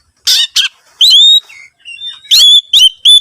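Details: Oriental magpie-robin song used to coax other birds into singing: two rough, harsh notes open the phrase, then clear rising whistles are held level and repeated.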